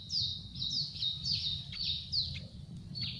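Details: Hungry Yellow-vented Bulbul nestlings begging for food in a nest on a tree: a rapid series of high, thin, descending squeaky notes, about six in three seconds, over a low background rumble.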